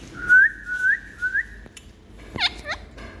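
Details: Pet Indian parrot showing love to its owner indoors: three smooth whistled notes, each rising at the end, then two quick harmonic squawks that drop sharply in pitch.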